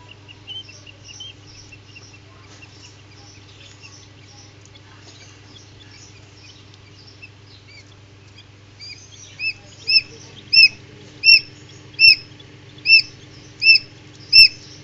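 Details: Newly hatched common quail (Coturnix coturnix) chicks hatching in an incubator give high, thin peeps, at first faint and scattered, then loud, sharp cheeps about once a second over a steady low machine hum.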